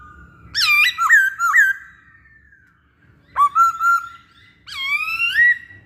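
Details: Masked laughingthrush in active song, meant as a lure: three looping, dipping whistles with strong overtones, a pause, a sharp upswept phrase of level notes, then a long arching whistle.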